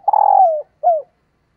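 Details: Long vibrating coo that slides gently downward, followed by a shorter falling coo, from a female spotted dove calling to stimulate males.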